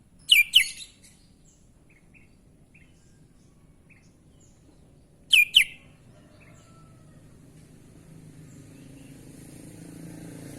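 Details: Sooty-headed bulbul with unusual sounds gives paired sharp downslurred whistles, soft faint chirps following, then another pair about five seconds later, while a low rumbling background builds toward the end.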